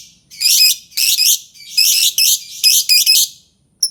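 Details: Albino lovebird squawking loudly in repeated harsh, buzzy bursts, about eight in under four seconds, each short and grating, with brief pauses between.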